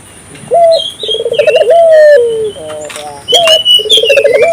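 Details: African collared dove calling to get local doves to join in; a rising note, a bubbling rolled coo drawn into a long falling tone, repeated, with another bird's high whistles and chirps layered above.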